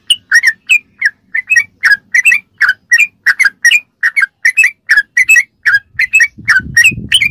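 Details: Recording of a sooty-headed bulbul meant to teach captive birds, a continuous rhythmic chain of clear looping whistles about three per second, with a low rumbling noise entering near the end.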